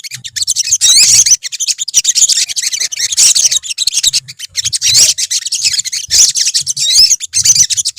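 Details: A busy chorus of high, rapid chirps and squeaky twitters comes from a colony of olive-backed sunbirds, nearly unbroken, with brief low rumbles underneath.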